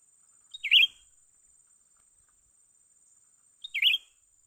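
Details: Bulbul known as cucak ranting, a young bird heard while being lured for trapping: two short chirps, each a fast falling twitter, three seconds apart, over a faint constant high tone.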